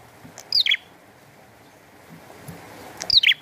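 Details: A bar-winged prinia sings in the rain: two brief, high, downward-slurred chirps roughly two and a half seconds apart, quieter against steady background rain noise.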